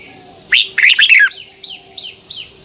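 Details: Red-whiskered bulbul morning contest song used to train and provoke captive birds: one short burst of bright, warbled chirping notes, then soft faint downslurred calls over a steady high tone.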